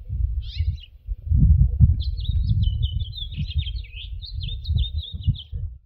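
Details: A male House Finch sings in spring: a brief chirp, then a long, jumbled warble of high notes lasting about three seconds, over a steady low rumble.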